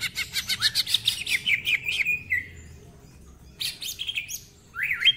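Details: Greater green leafbird song with a harsh rich repertoire: quick buzzy whistled notes sliding downward, a pause, then rough warbling and a final rising whistle.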